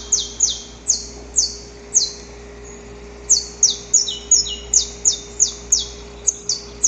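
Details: Recorded in nature, a male saffron finch sings before dawn to court the female: high, harsh downslurred chips in a quick series, a pause of about a second, then a denser run with doubled overlapping notes.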